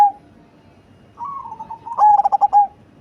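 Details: Cemani zebra dove, large-bodied and deep-voiced, gives a soft rolling coo followed by one loud phrase of rapid stuttered notes ending on a held coo.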